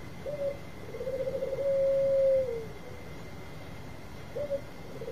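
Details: Zebra dove of Bangkok type in lure song: soft low cooing, a short note, then one long drawn-out level coo that fades, with another brief coo at the end, over a steady faint high hum.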